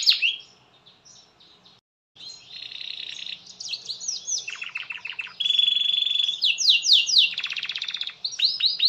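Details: Canary in continuous 'gacor' singing, meant to get other canaries singing too. A short pause comes early, then buzzy trills, stuttering low notes, a steady pure whistled tone and fast sweeping rolls follow.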